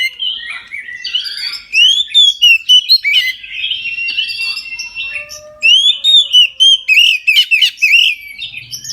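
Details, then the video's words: Oriental magpie-robin singing its full song at midday as a prompt for other magpie-robins: a fast flow of clear rising and falling whistles mixed with sharp chips and short trills, richly varied throughout. "KACER NGEPLONG SIANG HARI COCOK UNTUK PANCINGAN KACER AGAR NGEPLONG DAN RAJIN BUNYI"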